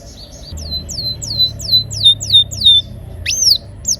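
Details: Canary singing in rolls, used as a prompt for canaries that have stopped singing: a row of about eight descending whistled notes at a steady pace, ending with a loud upswept call.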